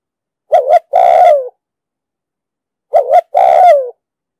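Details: Cooing spotted dove with a deep 'đồng sấm' voice, recorded to lure and train wild doves for trapping: two clear phrases, each a clipped two-note start and a long falling coo, about 2.5 seconds apart, with silent surroundings.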